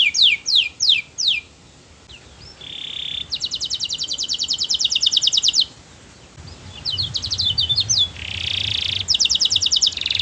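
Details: Sweet canary song intended to start other canaries singing: a few sharp down-slurred notes, then buzzy rolls and long rapid trills broken by short silences, with low background noise.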